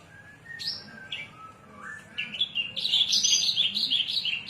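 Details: Javan bush lark of the Cilacap type, singing in the cing ciu style: scattered thin whistled and chirped notes, some slurring up, then a loud, dense, buzzy high trill filling the last half.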